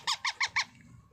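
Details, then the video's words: Baby parrot calling while being fed: four quick, harsh squeaky notes evenly spaced about every 0.17 seconds, then quiet background. "baby parrot feeding"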